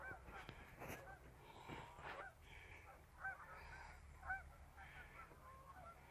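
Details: Geese on a river during a short afternoon scouting trip, recorded 12 11 17; scattered nasal honks rise and fall over steady low rumble of wind or water, calls coming irregularly from several birds.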